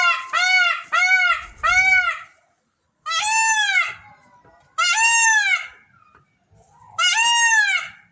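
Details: Peafowl kept in Belo Jardim, Pernambuco, Brazil, calling during the day: loud nasal wailing calls, three short quick ones, then longer rising-falling cries spaced about two seconds apart, clean with little background.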